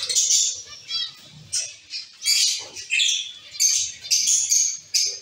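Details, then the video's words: Caged zebra finch colony calling: high nasal chirps in short bursts, roughly one to two per second, irregular and overlapping, with soft low rustling beneath. "Zebra finch sound & activities"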